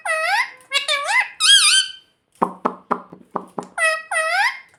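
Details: Pet talking parrot indoors, said to say "mummy"; harmonic, wavering squeaky voice notes in the first two seconds, then a run of about seven short rapid clicking pulses and a final rising-falling squeak.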